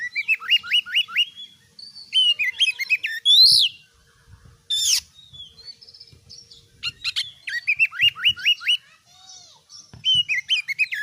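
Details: Oriental magpie-robin (kacer) singing a varied, loud song: runs of rapid repeated downslurred whistles, sharp high squeaky notes and brief pauses, in bursts across the recording with near-silent gaps.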